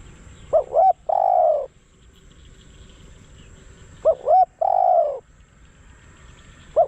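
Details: Spotted dove decoy calling to lure wild doves, two full phrases of paired hoots plus a long throaty coo about three seconds apart, and a third phrase starting at the end.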